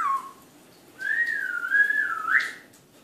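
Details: An Eclectus parrot in an evening talking session gives a brief falling whistle, then a longer wavering whistle that rises sharply near its end, in an otherwise quiet room.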